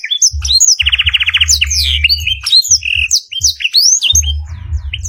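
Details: Canary song from a long master track used for training other birds, mixed with black-throated canary fill: quick rising and falling whistled sweeps, a rapid rolling trill near the one-second mark, steady low thumping pulses underneath.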